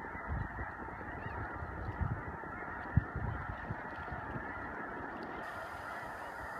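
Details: Thousands-strong din of snow geese on spring migration, Choteau, Montana, March 2015: continuous overlapping nasal honking, with occasional low knocks and a sharp thud near the third second.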